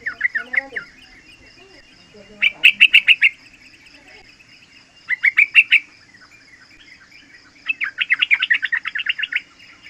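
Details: Young yellow-vented bulbul, three months old, singing in the rapid 'ropel' style used as a lure and as a tutor for other young birds: short bursts of quick chirpy notes, repeated roughly every two and a half seconds, over a steady faint high tone.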